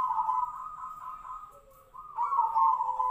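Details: Zebra dove singing in the Tejoanom style, described as sounding like the sirtu-sirpo bird; an almost unbroken trilled coo that dips briefly, then returns stronger, over a faint lower steady tone.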